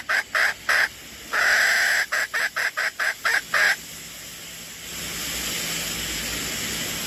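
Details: Red junglefowl used as a decoy bird gives a clipped crow: three short bursts, a drawn-out middle note, then a rapid series of brief choppy notes, followed by rushing background noise.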